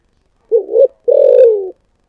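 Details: Spotted dove in 'thổ sấm' style voice gives a single clear phrase: a doubled short coo, then a sustained, deep, gently descending coo, with no other sounds.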